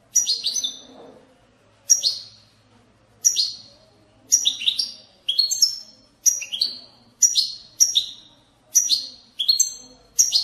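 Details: European goldfinch bitbita song for stimulating goldfinches to sing: crisp, ringing twitter phrases of two or three notes follow one another steadily, quickening toward the end, with quiet background.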